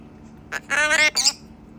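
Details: A talking pet macaw gives a hoarse, squawky, speech-like greeting ("hello") in three quick bursts, rising in pitch and rasping, over a quiet room background.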